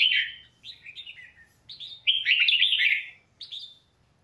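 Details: Red-whiskered bulbul song meant for training other birds' voices: short bright chirped notes building into a long, rapid, tumbling warble before a final crisp whistle, over a quiet background.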